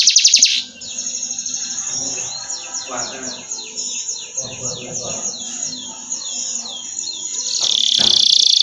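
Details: Canary on an Indonesian masteran recording, singing a moderately loud run of rhythmic high trilled notes, opening and closing with brief loud bursts, over faint low murmuring.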